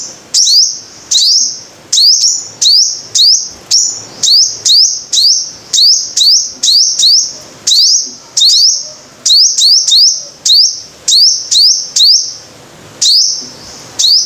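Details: Long lure recording of a five-coloured sunbird: a continuous series of shrill high notes over fourteen seconds. Each rises quickly and holds as a ringing whistle, singly or doubled, about two to three per second at times.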